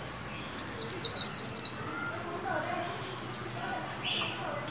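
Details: A white-eye kept caged and trained to sing for the new year gives a rapid series of five high descending whistles, then soft twittering notes and a single further whistled note.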